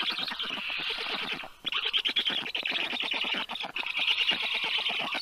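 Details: Black stork chicks aged 30 days, rescued and cared for in a Tartu, Estonia veterinary clinic, begging at an afternoon feeding in June 2022; loud grating, rapidly pulsed calls with two short breaks.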